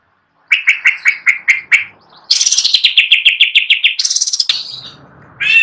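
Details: Perched greater green leafbird singing constantly: a run of seven crisp chips, then a dense stuttering burst of fast bright notes and a buzzy high phrase.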